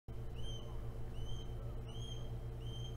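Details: Osprey at Hog Island, 9 April 2017, arriving and leaving; four faint, thin upslurred whistles spaced about three-quarters of a second apart over a steady low hum.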